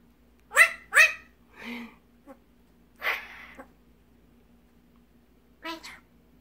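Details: Hand-raised rescued magpie, about a year and a half old, mimicking human speech such as "get ready for bed" and "good beach": five rasping, word-like bursts over six seconds, the first two loudest, over a faint steady hum.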